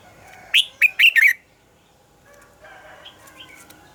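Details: Red-whiskered bulbul heard in a morning double-note song, as sung by a forest-matured bird and used for training other birds. Four loud slurred whistled notes in quick succession, followed by faint soft twittering.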